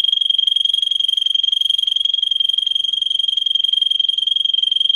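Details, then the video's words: Russian singer canary, bred for song and used as a model for training canaries, delivering one sustained, very rapid rolling trill at a steady high pitch that runs unbroken for several seconds. "For training Canary singing (Russian singer canary singing) Original Song. Для обучения канареек"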